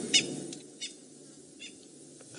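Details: Distant spurfowl alarm calling on the afternoon of January 17, 2018, near a female leopard with her cub and a warthog kill: short, harsh, scratchy bursts at irregular intervals over a low background rumble.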